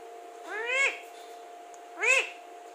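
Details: Alexandrine parakeet, a talking pet parrot, giving two loud, rich, voice-like utterances that swell and then fall away, about one and a half seconds apart, with a faint hum behind them.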